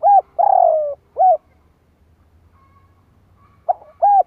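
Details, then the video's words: Spotted dove cooing as a lure call, long falling coo followed by short looped notes, then a quiet gap of two seconds before the phrase begins again; faint low rumble underneath. "Tiếng chim cu gáy kích bổi nhanh nổi | Suara burung tekukur"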